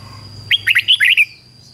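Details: Red-whiskered bulbul decoy singing a single quick phrase of six clear, warbling whistled notes to call wild bulbuls, with a faint low hum and thin high tone underneath.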